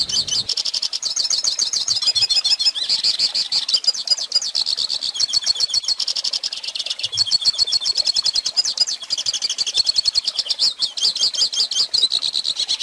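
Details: Long goldfinch song for young birds to learn: continuous high, rapid twittering with trills, buzzes and chattering notes sustained throughout.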